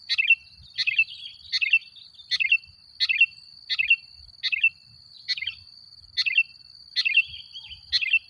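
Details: Chatty sooty-headed bulbul, used as a lure to make other bulbuls agitated, repeating a short bright chirruping phrase roughly every three-quarters of a second, about eleven times, over a steady high whine.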